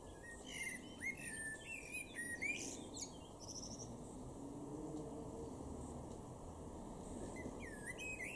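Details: Male common blackbird in a garden at Weener, East Frisia, in Germany's far northwest, May: a full phrase of rich, low whistled warbling broken by sharp high squeaks, then a long pause and the start of another phrase.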